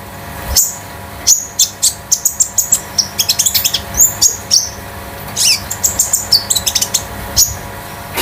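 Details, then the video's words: Konin kept at home as a master bird to tutor and stir other birds, just past juvenile plumage: a fast, busy run of very high, sharp chirps and short whistled notes, many per second, with brief pauses. "KONIN DAMER METALIK LEPAS TROTOL || BURUNG MASTERAN || PANCINGAN OMBYOKAN KONIN"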